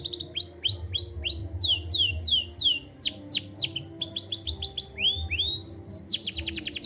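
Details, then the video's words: Song of a white canary, an unbroken stream of bright whistled trills and swooping downslurred notes in quick changing phrases, closing on a rapid metallic rattle; faint low hum underneath. "White Canary Sound Effect"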